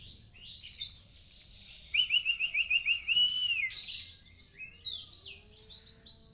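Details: Mountain white-eye, dagbal kintamani type, in full song: high chattering warble, then a run of about eight fast upslurred whistled notes, followed by further bright twittering phrases against faint background hiss.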